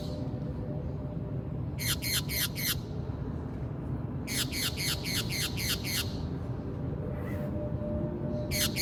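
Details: A Brazilian green parakeet, kept as a pet, gives harsh, rapid squawks in quick bursts of four to eight notes.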